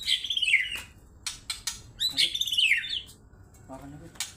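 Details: White-rumped shama in an agitated mood, its song used to stir other birds: two bright descending whistled phrases with twittering edges, punctuated by sharp percussive clicks and a brief harsh note.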